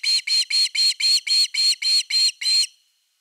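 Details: Loud Osprey calling at nest #3 on an August 2021 evening with fish: ten strident, high-pitched notes in a steady, brisk rhythm before falling silent.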